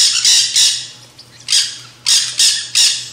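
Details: Nanday (black-hooded) parakeets feeding at a backyard seed feeder give harsh, grating squawks in quick bursts, about three a second, with a faint low hum underneath.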